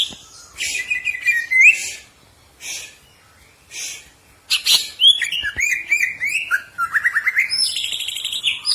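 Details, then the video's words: Caged green leafbird used as training audio for contest birds, giving scattered chirps and a rising whistle, then after a pause a lively string of slurred, warbling whistles and rapid trilled notes building toward the end. "100% nyaut burung cak ijo anda"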